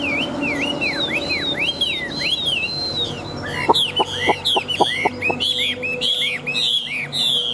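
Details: Caged Chinese hwamei, a large wild-caught fighting bird, singing loud repeated arched whistles, then sharp clicking notes and fast high rising-falling slurs, rich and varied throughout.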